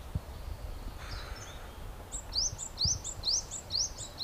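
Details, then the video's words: Brown-eared bulbul calling loudly while visiting blooming cherry blossoms for nectar in Japan; after a quiet start, a run of about seven sharp rising high notes comes roughly twice a second, with faint low thumps. "Bulbuls making noise in the cherry tree. 桜の木で騒ぐヒヨドリ"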